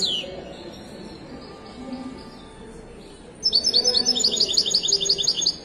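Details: European goldfinch of the Moroccan widani type at a Casablanca bird market. A few faint high notes are followed by a two-second run of rapid, sparkling, jingling twitters, with a steady background hum of people.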